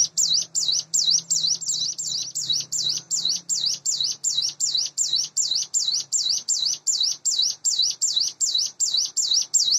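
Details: Morning singing from a hand-fed captive sunda bush warbler near eight months old: continuous high, swooping whistled notes at a rapid, even pace, over a faint low electrical hum.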